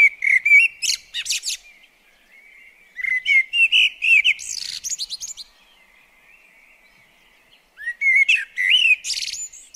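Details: Common blackbird song in a garden visited by the bird at a bird table: three phrases separated by pauses, with low fluted whistles and a squeaky high twittering flourish in each.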